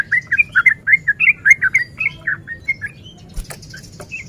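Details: Sooty-headed bulbul male in breeding condition singing rapid, forceful rolling phrases to lure rivals into fighting; loud fluty gurgles pour out quickly, then fade into softer scattered notes with a brief clatter near the end.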